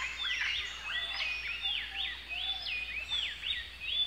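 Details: Common green magpie, a green-plumaged corvid with red bill and legs, black mask and long white tail, in its natural habitat, giving rapid overlapping whistled and squeaky notes slurring up and down, several birds possibly calling at once. Common green magpie.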